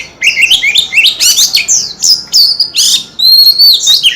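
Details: Singing white-rumped shama, a kept bird flicking its tail: quick tumbling sequence of bright whistled notes and trills, ending in a long sustained high whistle.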